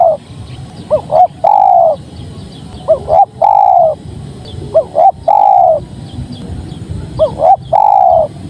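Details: {'caption': 'Cooing song of a spotted dove, four repeated phrases about two seconds apart, each made of a pair of quick rising notes and then a drawn-out level coo, with faint low hum underneath.'}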